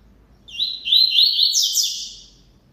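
A double-collared seedeater sings a fast, high twittering phrase of buzzy, warbled notes lasting about one and a half seconds, with a quiet background.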